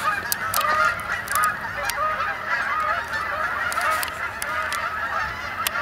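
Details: Flock of Canada geese arriving to roost for the night on a pond at Sapsucker Woods, Ithaca, New York, late October 2017; continuous chorus of many overlapping honks, with loud, dense, repeated nasal calls throughout.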